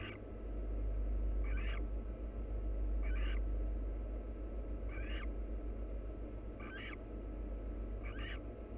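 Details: Wild barn owls, a pair preening one another. Five brief harsh twittering bursts come about every one and a half seconds above a constant low background drone.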